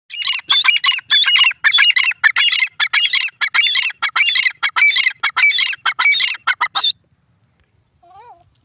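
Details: Grey francolin, known locally as teetar, calling loudly: harsh, squawky, high-pitched notes in rapid, fairly steady series for about seven seconds, then near silence with one faint, brief lower note at the end.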